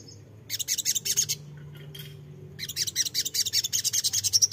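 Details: Crimson sunbird (sogok ontong) song used as a lure to draw wild birds into answering: two bursts of rapid, high, metallic chips in dense runs, separated by a brief quiet pause, over a faint low hum.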